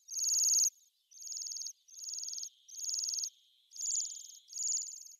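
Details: Bohemian waxwing calling: high, thin, buzzy trilled notes, each about half a second long, given in a steady series with short gaps and a fainter lower hum between them.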